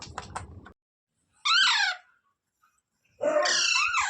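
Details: Parrot screeching indoors: a short burst of clicking noise, then two loud, rough, descending screeches separated by over a second of silence.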